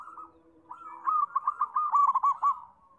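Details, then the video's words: A single zebra dove phrase: a soft introductory coo, then a clear rhythmic string of about eight quick pulsed coos that fades into a drawn tail. "PERKUTUT SUPER GACOR, BIKIN RAME"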